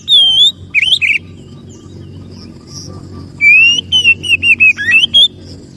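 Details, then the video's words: Oriental magpie-robin (kacer) song played as a lure for birds: sweet whistled notes and quick twisting chirps, a pause, then a flowing series of wavering whistles, with steady low background noise. "suara pikat Kacer"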